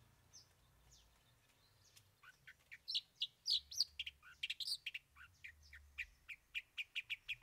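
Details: Long-tailed shrike in 'bongkar 3 isian' song: a few soft whistled notes, then an accelerating jumble of loud chattering, scratchy phrases ending in fast repeated chips.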